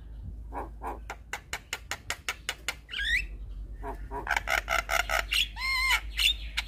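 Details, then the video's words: Black-winged starling singing to stimulate other starlings: a steady series of clicking, harsh notes about four per second, a rising whistle, then dense loud squawks and a bending whistled note. "Jalak Kebo Stres MAlas Bunyi Langsung Nyaut Dengar Suara Burung Jalak Kebo Ini"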